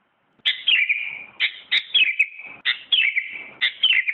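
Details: Sooty-headed bulbul, a first-place winner of a 2017 contest, singing bright, bubbly warbled phrases that drop in pitch, four short bursts about one second apart with brief pauses between.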